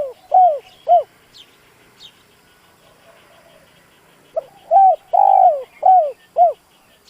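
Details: Decoy spotted dove calling to provoke wild doves: mellow coos at the start, a quiet gap, then a full phrase with a long central coo and falling end notes; faint background twittering.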